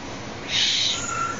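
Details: A captive young Tengmalm's owl, playing with a person's hand, gives a single breathy, high hiss lasting about half a second, followed by a faint thin whine.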